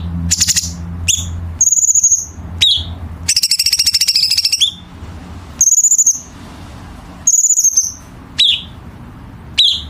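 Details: Chinese bulbul training song with dense harsh-note fill for competition birds: high pulsed whistles, sharp downslurred chirps and a long rapid trill near the middle.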